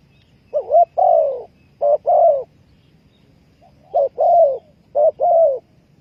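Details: Spotted dove (Spilopelia chinensis) coo call: two phrases, each a short coo followed by a longer, mellow, slightly falling coo, repeated about three seconds apart.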